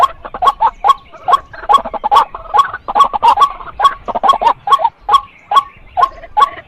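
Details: A female white-breasted waterhen calls with a steady series of harsh, clucking kwak-like notes, roughly two each second. The notes come singly and in quick pairs, with no other clear sounds.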